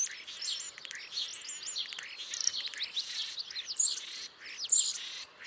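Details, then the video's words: Starlings keep up a busy, high chatter of chirps, clicks and thin slurred whistles, several sharp bursts every second, with little pause between phrases. "Starlings chirping"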